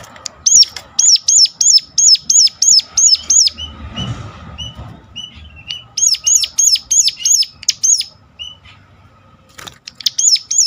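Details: Sunda warbler (ciblek gunung) giving sharp calls, used to lure other birds into singing. Quick bursts of high, sharp, descending notes repeated about three times a second. A short pause with a low rumble comes midway, then the bursts resume.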